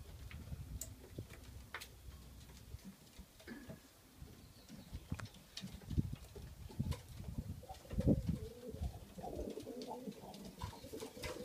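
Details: Widowhood-system male racing pigeons, three weeks into widowhood in early May, coo in low, rolling, throaty murmurs, with scattered clicks and shuffling around them.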